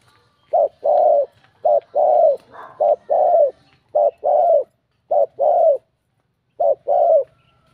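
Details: Spotted dove with a bell-like voice cooing to provoke rival males: short deep coo notes, each a quick clipped note followed by a longer, fuller one, repeated about once a second in steady two-part phrases with brief pauses between them.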